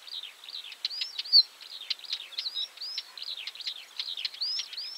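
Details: Scratchy, jumbled song of a northern wheatear: rapid chattering notes mixed with short rising whistles and one brighter clear note near the start, delivered without pause over a faint steady hiss.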